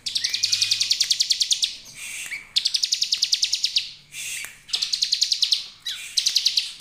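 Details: A bar-winged prinia sings as a lure to draw song from other prinias: fast, even trills of high buzzy notes, about three per second per phrase, in bursts of one to two seconds with gaps.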